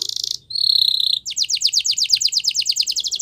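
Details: Spanish Timbrado canary song for training: a short buzzy burst, a steady whistled trill, then a run of fast repeated downward-swept notes, about eight per second.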